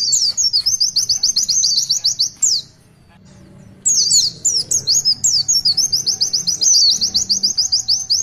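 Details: Oriental white-eye (pleci) singing in the long "tulitwitwit" style: high, rapid trilled phrases of repeated twittering notes, broken by a short pause near the middle, then resuming with sharp downslurred whistles and further fast trills.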